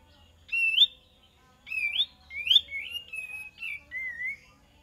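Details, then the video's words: Lure song of a kapas tembak: five loud, warbling whistled phrases, each bending up then sliding down, spaced about a second apart, the last ones lower and softer, against near silence. "PANCINGAN KAPAS TEMBAK DIJAMIN NYAUT"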